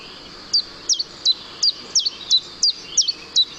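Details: Common chiffchaff song played back, a very regular rhythm alternating two clear, pure notes, 'chipset chipset': nine high, sharply descending chirps spaced about every third of a second, over faint background hiss.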